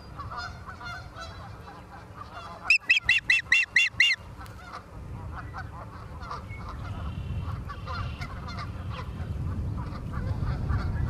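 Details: Osprey nest in Charlo, Montana, live camera, 28 September 2023, 17:45: a short burst of about seven loud piercing chirps, set among steady low rumbling wind noise and faint scattered calls.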